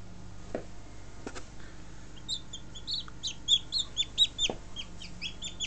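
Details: Newly hatched Buff Orpington chicks, hatched on 2 March 2011: high, thin peeps that grow busier in the second half, over a steady low electrical hum and a few knocks.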